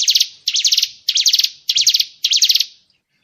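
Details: Murai batu fill-in 'tembakan' phrases from a master recording for training contest birds: five harsh, stuttering buzzy bursts spaced about half a second apart, then quiet.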